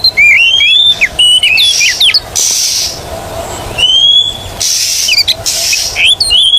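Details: Oriental magpie-robin song used to stimulate non-singing birds: fluid whistled phrases and short warbles at the start, then single rising whistles and quick note clusters, alternating with bursts of hiss.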